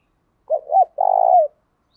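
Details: Spotted dove giving a 'thổ đồng'-style coo meant to stir males into replying and fighting. Two short rounded notes lead into one long, level, slightly vibrating coo that drops at the end.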